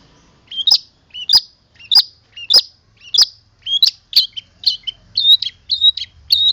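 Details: Long-tailed shrike from Boja, its song rich in mimicked sounds. It gives loud, sharp, slurred notes spaced about every two-thirds of a second, shifting partway through to shorter, more varied chirps, with a faint low rumble.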